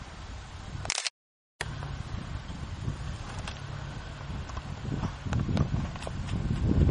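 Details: Rustling and low wind rumble outdoors in forest, a camera shutter click, then a brief dropout of silence, with no animal calls audible.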